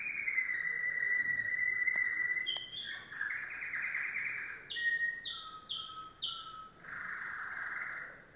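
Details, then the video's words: Yellow domestic canary in varied song: a long high rolling trill, clicks, then repeated short piping notes about every half second, ending in a rich warbled trill. "canary singing"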